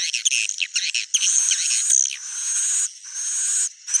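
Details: Swiftlet calls: dense, high chattering chirps give way to long, sustained shrill buzzing tones with brief gaps between them. The sound is clean and has no low rumble.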